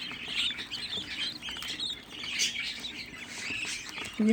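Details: A group of sixteen young budgerigars raised at home calls all at once, a busy mix of high chirps and rasping squeaks, with a soft low thump at the very end.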